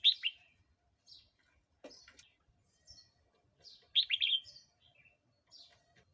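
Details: Red-whiskered bulbul singing, a recording used to provoke wild birds or teach young ones: quiet, scattered liquid chirps and short warbles, one louder bubbling phrase near the middle, and faint brief whistled notes between.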